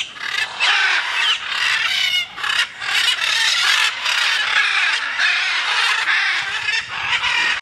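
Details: Free-flying macaws calling almost without pause: dense, harsh, raucous squawks overlapping one another, loud and grating throughout with only brief gaps.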